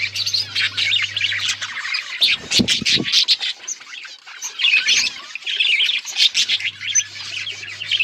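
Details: Budgies chattering together, a dense stream of high chirps, squawks and warbles with a brief lull near the middle, over a steady low electrical hum.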